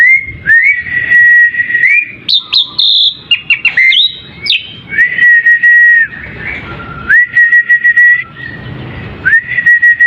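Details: Asian pied starling lure song meant to provoke replies from other birds: long, level whistled notes repeated several times, broken by a burst of high, squeaky, jumbled notes in the middle.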